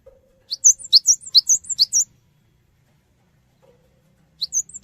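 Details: Song of a cinereous tit, played as a lure for other birds: roughly eight quick, high whistled phrases with sharp upward flicks. A faint low hum sits underneath, and a new burst begins at the end.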